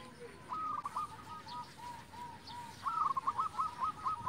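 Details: Local zebra dove in full song, played to stir silent or stressed zebra doves into singing. Soft evenly spaced coos, then a rapid rolling staccato phrase, over steady hiss and background noise.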